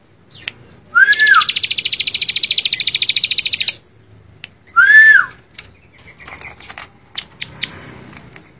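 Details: Bar-winged prinia, a ciblek sawah, singing: a downslurred whistle, then a long fast buzzy trill of ticks for nearly three seconds, another slurred whistle, and scattered high chips.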